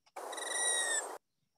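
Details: A male Allen's hummingbird in Riverside makes his dive sound with two interacting tail feathers, R3 and R4: one steady, buzzy, high whine with a ringing metallic tone lasting about a second; Allen's hummingbird.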